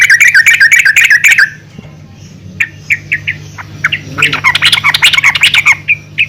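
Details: Calls of a female yellow-vented bulbul used to prompt other bulbuls into song: a quick harsh chatter, a quiet gap with scattered notes, then a lively jumbled chattering burst over a steady low hum.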